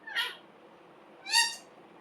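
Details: Green parrot, called a talking parrot: two drawn-out, nasal, wailing squawks about a second apart, the second louder and richer, over faint steady background hum.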